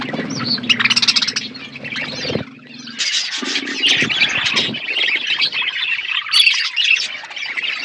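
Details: Eating budgerigars in an outdoor aviary chatter with dense warbling chirps, sharp squeaks and a loud wing-flap, the flock noise steady and overlapping.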